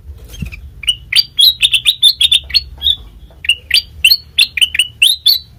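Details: Song of a sooty-headed bulbul, played to lure other birds: a long, loud series of clear whistled notes, each rising and slurring, delivered in fast phrases of three to five with short pauses, light hum underneath.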